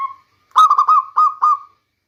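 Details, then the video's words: Local zebra dove, a rainy-season lure: a faint note at the start, then a single phrase of five quick, rolling coo notes that trails off into a held tone. "Bunyi perkutut lokal terbaik untuk pancingan di musim hujan"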